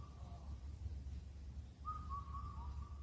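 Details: Indian cuckoo in the mountains at Cheonmasan, Incheon, Korea, which calls through the night in late spring. One clear whistled four-note phrase ends in a lower note, with a faint partial phrase at the start and steady low background rumble.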